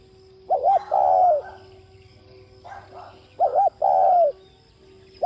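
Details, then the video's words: Spotted dove singing in the urging 'thúc' style meant to spur other doves into cooing. Two full phrases of a rapid paired coo then a drawn-out mellow note, with fainter coos between and the start of a third. "Cu gáy THÚC giọng Sát Bổi kích bổi nhanh nổi nhanh gáy"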